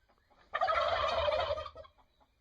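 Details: A single loud turkey gobble lasting about a second, a dense rattling burst.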